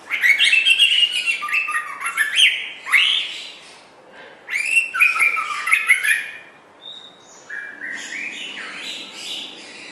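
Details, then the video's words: White-rumped shama singing, recorded as a master tape for teaching other songbirds: three loud bursts of rich, varied whistles and rapid trills separated by brief pauses, then a softer closing phrase. "Kicau Burung Murai Batu Joss Buat Masteran"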